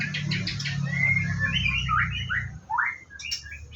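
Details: White-rumped shama at a bird farm during its morning routine, giving slurred whistles and a rising swoop after sharp high chips, with low humming noise.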